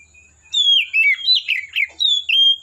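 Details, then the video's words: Forest Oriental magpie-robin delivering a rapid run of loud, sweet whistled notes, slurred up and down in quick succession, with no other sounds. "Suara Burung Kacer Asli Hutan"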